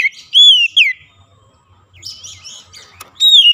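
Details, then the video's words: Oriental magpie-robin song meant to coax a silent bird back into song: a long descending whistle, a quieter scratchy twittering passage, then another bright falling whistle at the end. "terapi mengatasi Kacer macet bunyi langsung gacor"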